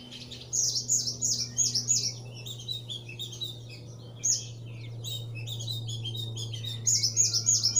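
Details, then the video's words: Thick-billed white-eye sings continuously to stir young birds into song, giving fast runs of five or six piercing high whistled notes separated by softer twitters, with a steady low hum behind. "SUARA BURUNG OPIOR ALIS TEBAL GACOR NGEPLONG"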